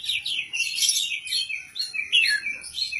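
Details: Contest-ready caged oriental magpie-robin from Indonesia singing ngobra style, without faulty mbagong notes: fast chattering twitters and sweet whistled slurs flowing continuously, with a falling whistle near the end.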